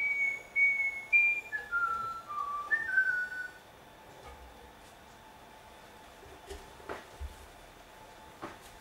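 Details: A pet cockatiel in Dortmund, Germany whistles a short run of clear notes, first high and level, then stepping down in a tune-like phrase, followed by quiet with a few soft clicks.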